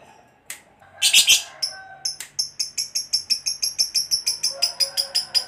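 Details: Lovebird singing 'ngekek panjang', a long trill meant to lure other lovebirds to call. A loud rough burst opens, then a steady run of short, sharp, repeated chattering notes continues to the end.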